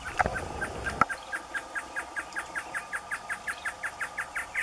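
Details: Great antshrike male singing in the caatinga: a knock and rustle, then a steady, slightly accelerating series of about sixteen soft, clipped notes at a moderate pitch.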